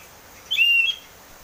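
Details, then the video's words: Oriental magpie-robin lure song, in the clear ngeplong style, meant to coax a caged bird into singing: one loud, pure whistle held level for under half a second, opened by a brief higher note, in quiet surroundings. "pancingan burung kacer ngeplong biar cepat mau bunyi dan gacor"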